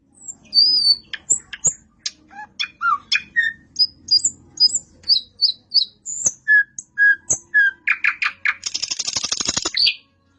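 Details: A long, varied nightingale song of many separate high whistles and sharp chips spaced evenly, building to a fast series of lower notes and ending in a loud buzzing trill.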